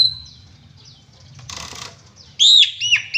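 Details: Faint high whistles open this passage of Asian pied starling song, then a brief rustling burst. Loud arched whistled notes follow near the end, part of lively, shot-filled singing.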